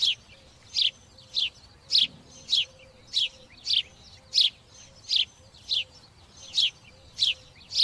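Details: A sparrow chirping steadily, each note a short, bright, slightly descending chip, repeated roughly every 0.6 seconds over a quiet background with a faint low hum.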